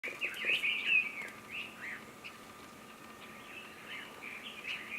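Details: Red-billed leiothrix singing around bathing in Nagasaki Prefecture, Japan, on 22 April 2019: warbled, wavering phrases of fluty notes with soft steady background hum.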